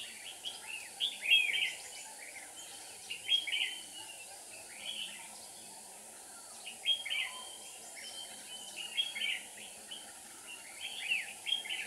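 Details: Decoy red-whiskered bulbul at a trap, 7 April 2019, singing to call in wild birds: rapid chattering, slurred whistled phrases in repeated clusters, bright and lively, with steady background noise.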